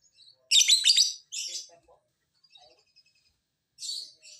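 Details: Loud lovebird chatter from a lure track meant to get even lazy birds to respond: a dense, rapid rasping burst, a shorter scratchy follow-up, faint squeaks, then a softer buzzy phrase.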